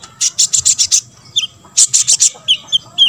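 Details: Olive-backed sunbird singing to draw song from other sunbirds: rapid clusters of rasping, buzzy notes in two bursts, broken by a few thin, high chips, over faint music.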